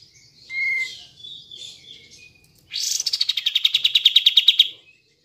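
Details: Short whistled and warbled notes, then a loud, fast rattling trill of about two seconds from a kapas tembak bulbul. The recording serves as a lure for birds that will not sing.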